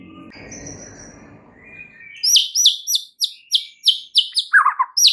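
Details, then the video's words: White-rumped shama song used as a lure to provoke other birds: after two seconds of low noise, loud repeated downslurred whistled notes, about ten in quick succession, then a lower buzzy phrase. "SEKALI PANCINGAN Murai Batu anda langsung NAIK EMOSI mendengarnya"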